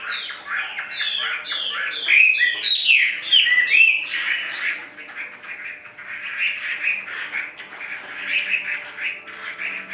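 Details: Caged Chinese hwamei giving a run of rapid, repeated slurred whistles with loud bright accents, which gives way to a long, buzzy, scratchy chatter.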